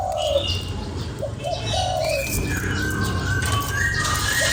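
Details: Cooing spotted dove used to rouse a lure bird: a low coo at the start, then a short note and a longer mellow drawn coo, followed by busy higher whistles and chirps from other birds.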